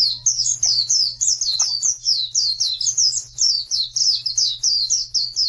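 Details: Oriental white-eye singing on a training recording meant to coax silent birds into song. A fast, steady string of high, sweet slurred notes repeated several times a second, over a low steady electrical hum.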